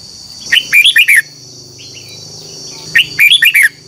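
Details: Captive red-whiskered bulbul singing in a morning singing-contest style: two quick bursts of lively, warbling whistled notes about two seconds apart, with a continuous high tonal hum behind.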